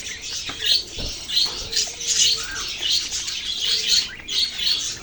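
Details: Budgerigar babies calling: bursts of sharp high tweets roughly every second over a constant thin twittering background of many small voices.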